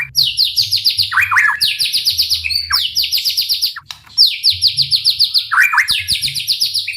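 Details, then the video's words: White-rumped shama singing to provoke rival shamas: fast trains of high, descending chirped notes repeated in bursts, with short lower warbled phrases between and a soft low hum in the background. "MURAIBATU gacor dor full TEMBAKAN ampuh untuk memancing EMOSI murai cepat bunyi"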